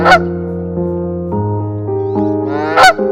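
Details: Canada goose at a spring nesting site in Stratford, Ontario, while guarding its nest during egg-laying season, gives two harsh, blaring honks, one at the start and one near the end, with low, steady droning tones shifting in pitch between them.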